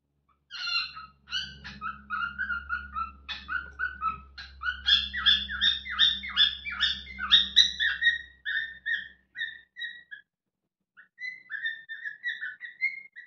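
A cockatiel whistles a lively run of bright, warbling notes that rise and fall in quick succession.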